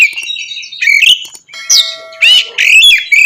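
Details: Ngeplong-style Oriental magpie-robin song, used as bait to rile other magpie-robins: loud sliding whistles and harsh buzzy bursts separated by short pauses, with a faint steady low tone in the middle.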